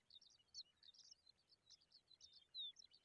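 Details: Young pipit being fed a worm; thin, high chirps come in quick scattered bursts, some short notes sliding downward, over a soft background hiss.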